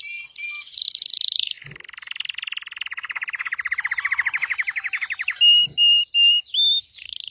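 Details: Red Belgian canary delivering a high buzzy rattle, then a long even trill of many rapid notes, closing with four drawn-out flat whistles.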